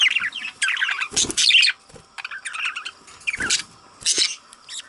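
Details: Budgerigar chick chattering in rapid, wavering, raspy chirps and twittering squeaks, dense at first then in looser bursts, with a few low knocks underneath.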